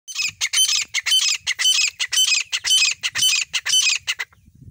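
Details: Black francolin, known locally as desi teetar, calling. Harsh, grating, noisy notes are delivered in a rapid rhythmic series of about two bursts per second, then stop abruptly. A faint low rumble sits in the background.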